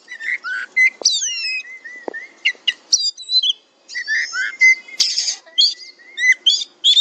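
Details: Kacer, an oriental magpie-robin, in fighter style: varied clear whistles, slurred double notes and sharp clicks in quick phrases, with a few short gaps.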